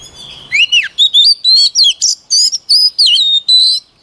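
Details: White-rumped shama singing for voice training: a swooping downslurred whistle opens a quick run of about a dozen crisp, high, varied phrases, some rising and some dipping, each separated by tiny gaps.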